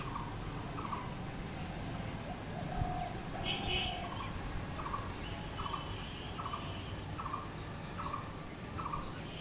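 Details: Blue-throated barbet (bosonto bouri) repeating clipped, throaty notes about 75 times a minute. Partway through, another bird gives a louder, higher burst of song, and a low rumbling background persists throughout.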